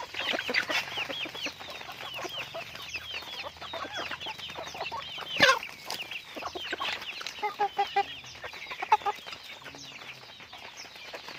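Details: Pet chickens being raised, a flock heard together: a dense stream of high, overlapping peeping chirps with scattered lower clucks, a single sharp knock near the middle, and a few louder clucks toward the end.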